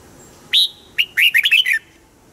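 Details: One red-whiskered bulbul phrase from a caged bird, used to rouse other caged birds: a strong whistled first note, then a quick cascade of bright warbled notes ending lower, with light background hiss.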